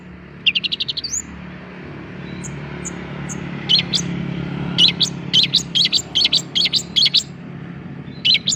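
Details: Young long-tailed shrike giving a quick run of high chirps, then scattered notes over a low rumbling background. Sharp, clipped chirps resume in a lively series toward the end.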